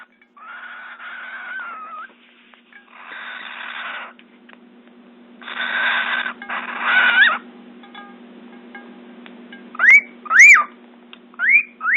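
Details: A male cockatiel sings to woo a female bathing nearby: a wavering whistle, then a run of bright, sharply rising whistled notes between bursts of splashing.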